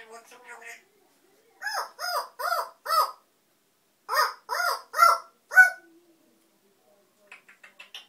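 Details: African grey parrot, described as noisy, giving harsh, harmonic squawks: four quick calls in a row, a short pause, then four more, with soft chatter at the start and end of the recording.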